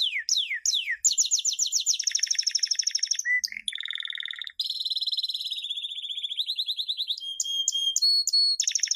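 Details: Champion canary song used to train young canaries: rapid rolling trills, descending sweeps, buzzy rattles and long high tours shifting in pitch, delivered continuously without pause.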